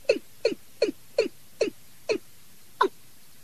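A Watercock gives seven short, hollow, downslurred notes, about two or three per second, with the last note coming after a longer pause. No other sounds are heard.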